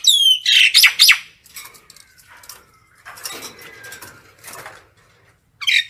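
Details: Common myna calling the flock: a high whistle slurring down into a burst of loud harsh chattering notes, followed by quieter scratchy rasps and a final squawk.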